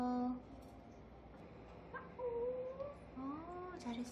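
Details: A young pet grey parrot, just over eight months old, babbling indoors: soft wavering warbled and whistled notes, some rising and sliding, in short phrases between brief pauses, with a woman speaking nearby.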